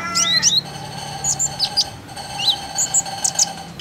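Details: Lure call of common iora for prompting birds to sing: clear slurred whistles and high chirps spaced through the passage, some notes dipping and rising, over a faint steady hum.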